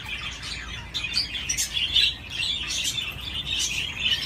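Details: Budgerigar on a swing gives bright, sharp chirps mixed with rapid scratchy chatter and clicking, louder in bursts, over a soft steady hum.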